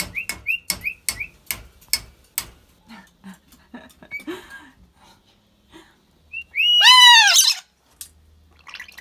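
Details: Rainbow lorikeets dancing with a water bottle give a run of short high chirps among rapid clicking taps, then quiet scratchy notes and a loud harsh rasping squawk lasting about a second.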